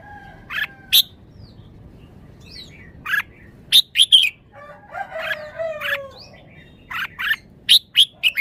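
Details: Red-whiskered bulbul showing its song phrasing in a wild, forest-style song: short bright whistled notes and quick chirps repeated in bursts, with a lower drawn-out crowing-like tone in the middle.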